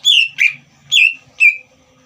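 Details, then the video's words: Caged green leafbird, its song played to provoke a young speckled bird: four loud whistled notes in two pairs, each dropping in pitch, with short pauses between. "CUCAK IJO GACOR INI SPONTAN MEMANCING EMOSI CUCAK IJO BAHAN TROTOL AGAR GACOR"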